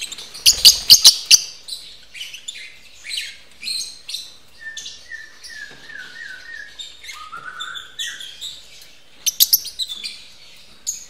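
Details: Captive lovebirds at a breeding facility, during mating. Bursts of shrill, high chirps open and close the clip, with thinner squeaks in between and a row of short whistled notes falling in pitch near the middle.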